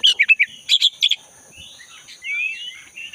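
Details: Black-breasted oriental magpie-robin singing in the forest, used as a lure for caged magpie-robins that stopped singing: quick clusters of sharp chirps, then a soft warbling and a thin rising whistle, with a steady high insect-like hum behind.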